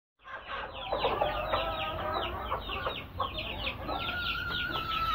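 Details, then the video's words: Two broody hens sitting together, giving dense overlapping clucks and soft churring notes, with a thin sustained whine running through the latter half. "Broody Hens"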